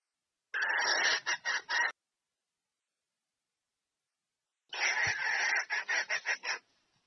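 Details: Calling female red junglefowl summoning the male for mating: a drawn-out rasping note breaking into quick clipped notes, then near three seconds of silence and a second, similar phrase.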